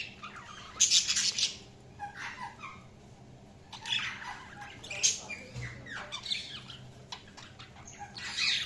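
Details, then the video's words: Budgerigars chirping: busy, scratchy warbles and squawky chatter in bursts, with bright high chirps throughout and several overlapping birds, a faint low thump near the middle. "Budgies Chirping sound"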